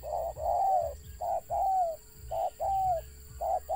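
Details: Wild Spotted dove with a stutter: hooting coos in pairs, a short note then a longer falling one, repeated three times in quick succession, over a low hum and a steady high whine.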